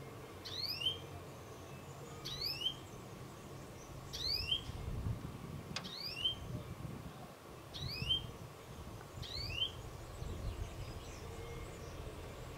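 A male European greenfinch gives a sharp, rising whistled note, repeated about every one and a half to two seconds, over a steady low rumble.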